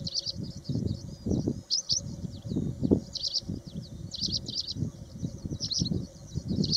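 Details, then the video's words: Paddyfield pipit calling at Osman Sagar, Hyderabad, Telangana: short, high chirpy notes in quick clusters, repeated about every second, over a heavy low rumble of wind noise. "Paddyfield pipit calling"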